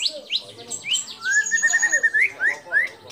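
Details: White-rumped shama in full song, mimicking birds like the white-eared bulbul, cililin, lovebird and canary; varied upslurred whistles and a sustained clear note, notes coming quickly in an irregular sequence.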